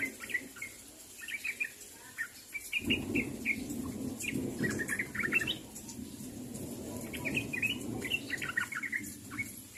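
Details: Sooty-headed bulbul calling to its companions, giving scattered bright chirps and short bubbly phrases. A low rumbling noise starts partway through and continues under the calls.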